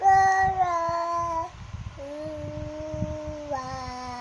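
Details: Cockatoo holding long, steady musical tones: a louder opening note, a brief pause, then a lower, softer sustained note and a final level tone.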